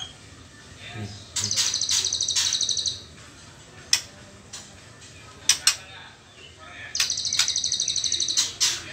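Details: Young white-rumped shama, trotol phase before becoming pastol, gives two bursts of dense high pulsed trilling each lasting over a second, separated by scattered sharp clicks and brief silences.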